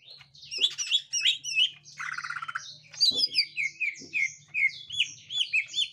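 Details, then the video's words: Gotri green leafbird facing a young wild green leafbird: busy chatter of varied whistles, a rattling buzzy burst, then fast slurred chirps, over a steady low hum with occasional knocks. "Tingkah Cucak Ijo Gotri Saat Di Temukan Cucak Ijo Muda Hutan"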